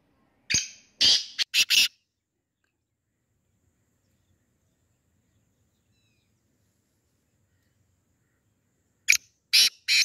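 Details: Black francolin, known locally as sindhi, kala or desi teetar: a burst of four harsh, grating notes, then about seven seconds of silence before a second similar rasping phrase near the end.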